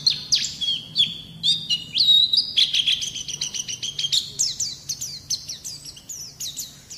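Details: Training recording of white-eye song meant to prompt young birds to sing: a quick stream of high, sharp, downslurred chips and short whistles, several notes a second, bright and insistent throughout.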